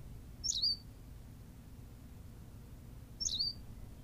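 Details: Recorded on La Gomera in the Canary Islands, a Berthelot's pipit sounds a pair of sharp, high, twittering phrases nearly three seconds apart, each ending in a short slurred tail, against a low constant rumble.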